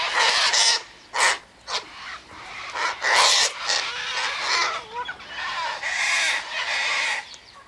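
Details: Sulphur-crested Cockatoos in a flock at a feeding spot by the eastern gate, eating sunflower seeds, wheat and birdseed mix; rasping, raucous squawks come in uneven bursts, some short and sharp, others drawn out and overlapping.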